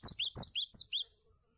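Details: Brief phrase from a cinereous tit, a tutor song for training other birds: five quick, bright upslurred notes in a tight run, each ringing high, with a faint steady whine behind.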